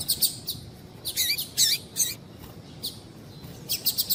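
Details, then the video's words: Female double-collared seedeater calling to get males singing: high, thin chirps and a few buzzy, wavering notes in uneven clusters, with short gaps between groups. "Piado de Fêmea de Coleiro para Esquentar Coleiro"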